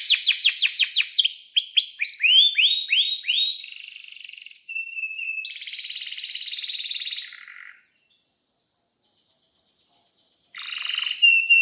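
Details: Canary in breeding condition singing for young learning birds: bursts of fast slurred chirps, rising sweeps and dense buzzy rolls, a quiet gap with faint high notes, then loud song returns.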